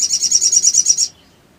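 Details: Sooty-headed bulbul trill used as an emotion-provoking lure: a brief, high, rapidly pulsed rattle that stops abruptly, with silence after.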